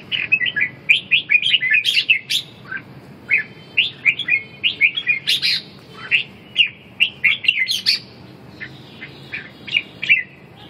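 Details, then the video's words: Red-whiskered bulbul in a competitive singing contest for reviving a bird that has lost its fire: sustained chattering song of bright, bubbly chirps and short whistled phrases, delivered in rapid clusters over ten seconds, with faint background hum. "Đấu ché, phục hồi chim mất lửa, mất lực"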